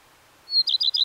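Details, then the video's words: Singing Common redstart: one sharp, level whistle leads into a trio of rich, slightly dropping notes given in quick succession, clean and clear with nothing else audible. "The song of the Common Redstart"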